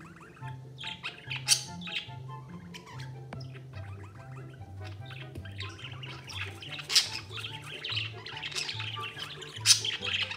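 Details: A budgerigar hiding and eating inside its food tray chirps and chatters in scratchy, high bursts over soft background music.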